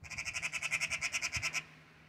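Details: Angry Eurasian magpie scolding a cat and refusing to give up: a harsh, dry chattering rattle of about a dozen rapid, evenly spaced pulses over roughly one and a half seconds, then quiet with a faint low hum.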